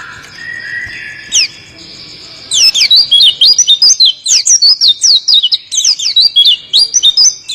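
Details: Oriental white-eye (pleci) singing in a rolling style: after a soft opening, a fast run of high, sharp whistled notes bounces up and down in rapid succession for about five seconds.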